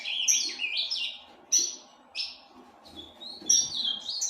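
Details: Ultramarine grosbeak from a breeding aviary sings short bursts of warbled, sliding notes separated by brief pauses, ending in a higher twittering run.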